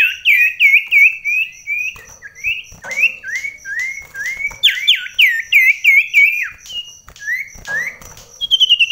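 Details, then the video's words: Common iora singing in an indoor contest against another bird at very close range, in rainy weather; bright whistled phrases in quick repeated bursts, some notes swooping down sharply, and a constant faint high-pitched tone in the background. "Extrime ADU Mental SIRTU Cipoh"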